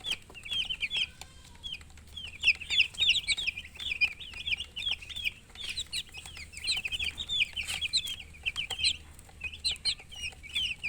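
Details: Baby chickens chirping steadily: a dense stream of high, thin peeps and short trills from several chicks, quiet at first, then busier, over a faint hum.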